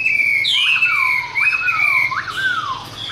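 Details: Caged Chinese hwamei, a tame bird singing its fighting song: loud clear whistled phrases sliding down from high to mid pitch, with looping upward notes repeated about every second.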